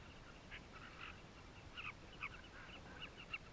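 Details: Southern carmine bee-eaters calling at their nesting colony in South Luangwa, heard from a concealed camera: soft, scattered, high chirps in small clusters over a hiss of background noise.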